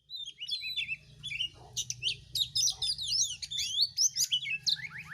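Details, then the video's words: White-rumped shama song: a fast, varied stream of high whistles, slurred sweeps and sharp chips, with a low steady hum underneath. "kicauan dan tarian burung kacer betapa merdu dan indahnya"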